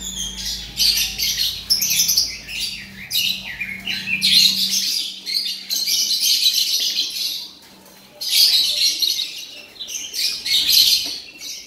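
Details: Male Oriental magpie-robin kept in a cage, delivering loud, dense runs of high scratchy chattering and whistled notes in bursts separated by short gaps, with a low hum in the first half.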